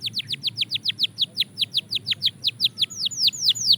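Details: Belgian canary song at a fast tempo, a steady series of about twenty quick descending chirps repeated roughly five per second, turning to slightly longer rising-falling notes near the end.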